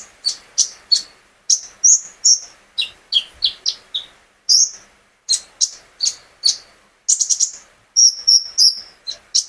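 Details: Captive brown-throated sunbird singing gacor-style to set other birds singing along; busy string of sharp high chirps and brief whistled slurs, with a quick trilled run near the seventh second and a clean background.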